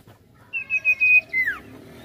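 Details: Sirtu, a lively-singing bird, in a rolling-variation song used to provoke other birds into singing: a few short notes, then a long flat high whistle and a sharply falling slurred whistle.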